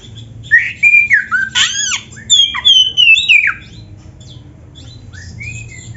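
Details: Oriental magpie-robin singing vigorously, a recording meant as a master track for training other kacer: loud varied phrases of whistled slurs, sharp downswept notes and high buzzy chips in a dense burst, then quiet background hum.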